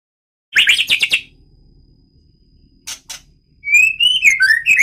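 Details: Medan-type White-rumped shama in a breeding aviary gives a quick burst of harsh chattering notes, a pair of short clicks, then a clear rising whistle that breaks into varied warbled phrases; faint low room noise underneath.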